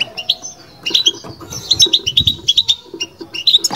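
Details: Batbata twittering by a caged European goldfinch: sharp, metallic high chirps strung together rapidly, one thin drawn note early on, with soft low bumps beneath.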